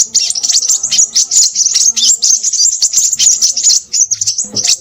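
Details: Crimson sunbird, the sepah raja, singing busily: a rapid, unbroken stream of very high, thin chirps and twitters, dense and hurried, with brief pauses and faint low background murmurs.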